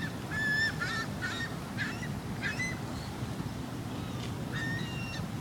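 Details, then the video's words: Seagulls in sunshine near Quebec City give a series of loud, nasal, slightly descending squawks, several birds overlapping in uneven bursts, with a constant low rumble of wind or distant traffic underneath. "Sunshine n seagull"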